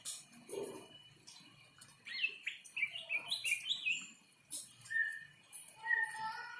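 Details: In breeding condition after a rain bath, a greater green leafbird sings a varied burst of quick whistled twitters, then slower single slurred whistles, with a low thud and background noise.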